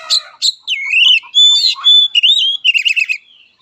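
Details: Oriental magpie-robin fighting song, given as mental and emotional therapy for the bird: rich varied phrases of slurred whistles, sharp rising notes and a fast buzzy trill, delivered loudly in quick succession.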